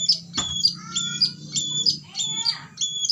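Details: White-rumped shama in fighter style repeating a high sharp whistled phrase about every half second, with lower tonal notes beneath, over a steady low hum and a brief knock.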